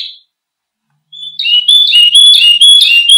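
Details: Canary song for teaching other birds: a brief high note, a pause, then a rapid bright warbling trill of alternating whistled notes.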